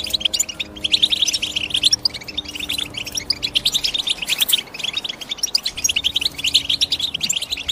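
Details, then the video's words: European goldfinch giving continuous bright, buzzy-edged chirps in rapid series, several overlapping voices, with faint low sustained tones in the background. "The GOLDFINCH CHIRPING SOUND"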